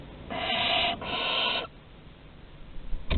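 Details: Barn owl chicks at Théding on 15 August 2020, during deliveries at the nest entrance: two back-to-back rasping hisses lasting about a second in total, then quiet with a soft knock at the end.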